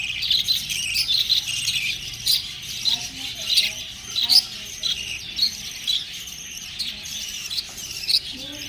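Budgerigars chirp in bright, scratchy bursts, with quick warbled notes repeating through the sequence.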